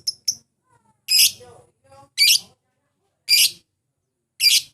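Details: Lovebird calls intended to challenge rivals and make the bird sing: two quick high chirps, then repeated loud, broad, raspy shrieks roughly once a second, with faint soft tones between.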